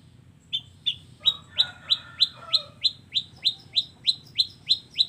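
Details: Long-tailed shrike singing combination fill-in phrases: a steady series of about fifteen bright, down-slurred chirps, roughly three a second, with faint lower chatter early on.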